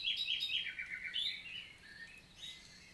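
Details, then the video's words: Common nightingale (Luscinia megarhynchos), summer morning, 11 June 2023, forest of the Célé valley in Lot, south of France: a quick burst of bright repeated notes sliding downward, followed by softer whistled twitters. "NIGHTINGALE MORNING SONG"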